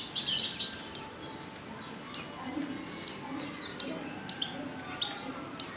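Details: Female white-eye in heat calling for a male: sharp high chirps, each a quick downward slur, repeated irregularly about every half second to second.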